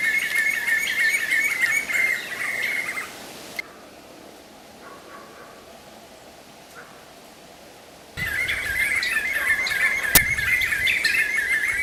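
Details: Black-fronted nunbirds (Monasa nigrifrons) at Pirenópolis, Goiás, Brazil, give a loud, dense run of squealing, gurgling chatter. It breaks off into several seconds of near silence, then bursts out again just as strongly.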